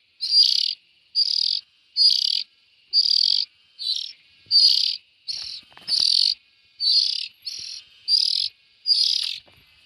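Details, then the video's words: Young bulbuls giving harsh, buzzy rasping calls, each about half a second long, repeated roughly once a second in a steady series, with faint clicks in the background. "Tiếng chim chèo non"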